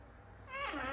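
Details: Pet African grey parrot, a talking bird said to say "Habibi" and "Salama Alikum", giving one short, voice-like spoken syllable with rich harmonics after a moment of quiet room hum.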